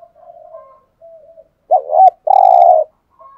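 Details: A decoy spotted dove coos to lure wild doves. Quiet soft notes lead into a loud wobbling two-part note and a drawn-out, rough, buzzy coo, then a faint note at the end.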